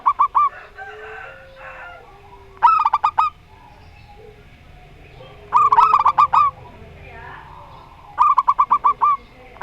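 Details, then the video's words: Local zebra doves, one with the Rondo Semoyo song style against one with an odd voice. Three bursts of rapid, clipped cooing notes near the same pitch, each about half a second, spaced by pauses, over faint background hum. "Perkutut Lokal Rondo Semoyo VS Perkutut Suara Aneh"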